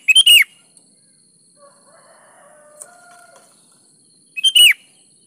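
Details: Sooty-headed bulbul (kutilang) in full, active song, used as a lure to prompt lazy birds to sing: two short, loud, bubbly whistled phrases that dip in pitch, opening and closing the stretch, with faint softer warbling between.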